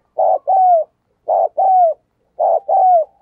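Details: Spotted dove used as a decoy, cooing to stir up wild doves: three clear two-part coos, each a short rough note followed by a longer smooth falling tone, spaced about a second apart.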